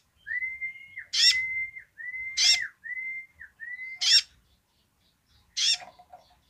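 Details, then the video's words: Basic song of a sunbird in full voice. Long, flat, steady whistles alternate with harsh, buzzy bursts about four times, ending with a lone burst after a short pause. A faint low rumble sits underneath. "kolibri ninja gacor//suara dasar nya !"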